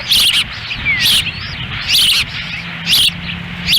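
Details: Ospreys at a Lolo, Montana nest on a windy 10 June 2017, with the female feeding chicks and the male standing by. Clear, high, whistled chirps come in short bursts about once a second, with some wind behind them.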